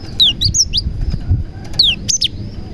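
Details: Lively cinereous tit song mixed with prenjak (prinia) phrases, used to lure other tits. Quick descending slurs and bright high chirps arrive in two short bursts over low rumbling background.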